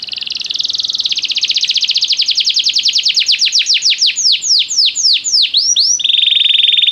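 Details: Canary song played to prompt a canary to sing: a long fast trill of repeated notes slowing into separate downward-swept whistles, then a steady buzzing trill.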